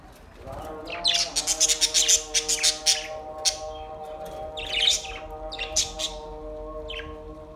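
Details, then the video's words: Budgies singing, recorded August 4, 2023: after a quiet start, a rapid run of raspy, buzzy chirps fires about ten times in two seconds. Scattered squeaky notes and scratchy bursts follow over a continuous backdrop of held musical tones. "Beautiful budgies relaxing song beautiful sinning and sound"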